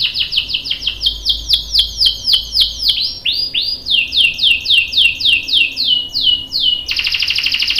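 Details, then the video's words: A lively 'gacor' canary song used as a lure to make another bird sing. It runs through rapid high falling notes and a few lower swoops, then ends in a dense, buzzy long roll. "PANCINGAN KENARI GACOR cuit cuit bikin NYAUT ikutan BUNYI Ngerol panjang | CANARY SINGING"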